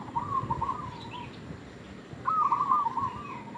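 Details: Lure call of a local zebra dove, used as bait. Two rhythmic phrases of throaty, trilled coos about two seconds apart, the second louder and longer, against a faint constant hiss.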